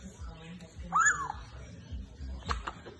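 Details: A pet talking African grey parrot gives one brief, voice-like sound that rises and then falls, followed by a few soft clicks over a low room hum.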